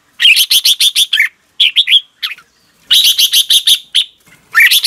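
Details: Red-whiskered bulbul singing in the morning, a 'ché kích bổi' style recording for training caged birds: rapid clipped notes in dense runs alternate with short slurred whistles, clean and loud throughout.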